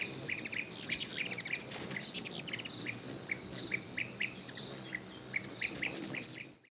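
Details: Berylline hummingbird calling with a run of short, sharp chirped notes, spaced about every half second, over a steady high insect drone, with other faint bird chirps around.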